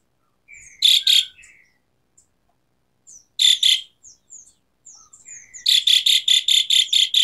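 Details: Asian pied starling gacor song with isian tembakan: scattered whistled slurs and paired rasping bursts give way to a rapid series of about nine harsh, evenly spaced notes.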